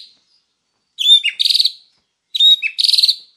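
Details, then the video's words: White-rumped shama singing vigorously, recorded as a master recording to train other birds. Two bright phrases, each a high clear whistle sliding down, then a rapid pulsing trill of about eight notes, with a pause between phrases. "Masteran Murai Batu Gacor WIKPLONG"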